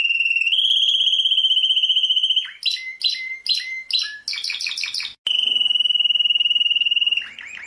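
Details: Singing world champion canary: an unbroken rolling trill, then a string of separate sharp double notes and fast bubbling phrases, returning to a sustained roll.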